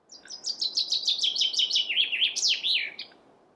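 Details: Singing chaffinch delivers a rattling, rapid series of descending high notes followed by a loud, abrupt falling flourish at the end, roughly three seconds in all.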